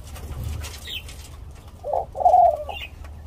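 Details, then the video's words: A Senegal dove × ringneck dove hybrid from Thailand, generation uncertain but looks F2, gives a soft, low nest coo: a brief muffled note, then a longer throaty coo, over faint background hum. "Senegal dove-Ringneck dove Hybrid Nest Coo Call"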